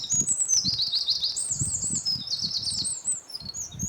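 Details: Loud, close Eurasian wren pouring out a shrill, energetic song of quick trills and high twittering phrases without pause, with soft low thumping noise underneath.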